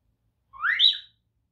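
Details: A pet African grey parrot gives a single clear whistle that sweeps upward and then levels off, lasting about half a second, in otherwise quiet surroundings.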